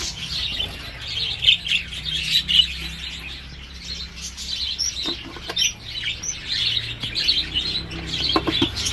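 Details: Captive Dutch-type budgerigars in breeding season as fledglings leave the nest; lively high chirps and warbled phrases from multiple birds, punctuated by clicks and a few louder squeaky calls.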